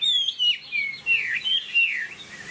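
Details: Captive Chinese hwamei delivering clear whistled song phrases, each note swooping down then up, in short bursts separated by brief gaps.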